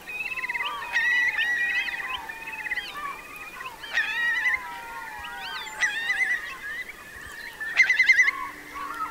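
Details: Eurasian curlews, part of about 3,000 sheltering in Marquenterre's wet meadows in the Bay of Somme during a high-coefficient high tide on 7 October 2021. Many overlapping whistled calls sit near one pitch, some rising and slurred, with brief bubbling bursts.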